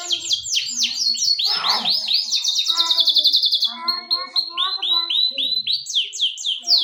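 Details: Canary singing in full voice: a series of quick descending slurred notes leads into a rapid rolling trill, then repeated sweeping whistles that speed up toward the end.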